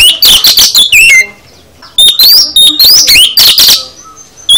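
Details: Full song of an oriental magpie-robin, rich loud whistled phrases with upslurred notes, rapid harsh rattling bursts and mimic-like variety, separated by a short pause.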